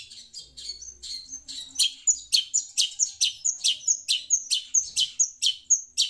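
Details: Shrike (pentet), talkative while hearing a phone's sound; a steady series of sharp, scratchy high notes, each with a short whistled tail, repeated about twice per second and growing louder after the first seconds.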